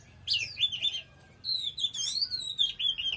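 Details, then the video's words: Oriental magpie-robin belting out song, a wavering whistled phrase followed after a pause by a long, loud, undulating whistle with fluttering overtones. "Choè than hót cực khủng"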